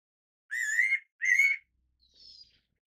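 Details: Two rising whistled notes from a fairy pitta in quick succession, followed by a faint, thin, higher chirp.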